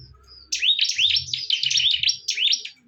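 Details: Bar-winged prinias fighting. A faint high whistle is followed by a sudden, loud, rapid volley of high, sweeping chirps that lasts to the end.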